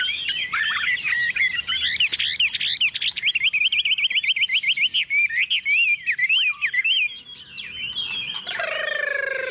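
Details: A tame hand-raised hwamei singing confidently on a table pours out fast, repeated zigzag whistles in a long rapid series, then slows into scattered notes before a harsher, noisy ending.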